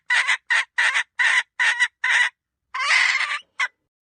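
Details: Hen cackling in six short, harsh, evenly spaced bursts. After a brief pause comes one long, drawn-out raspy squawk and a final short clipped note. The surroundings are silent.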